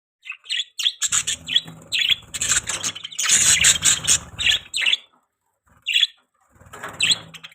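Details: Budgerigars chirping in a run of high, scratchy chattering notes with short squeaky bursts, several overlapping calls, a pause near six seconds, then more chirps.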